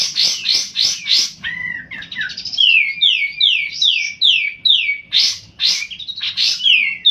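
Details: Sunbird called kolibri ninja singing energetically, recorded as a lure for young sunbirds: rapid sharp notes leading into a series of clear descending whistled slurs, with loud chips returning at the end.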